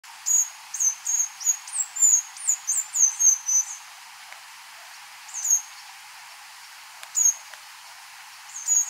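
A White-browed Warbler sings a very high, thin run of about a dozen quick down-slurred whistles, then gives a few single notes spaced apart.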